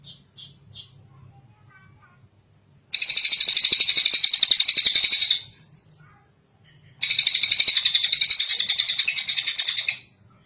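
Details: Long kingfisher call recorded as a master track for training birds: three short high notes open, then two strong, rapid, harsh rattles, each about three seconds, separated by a short pause.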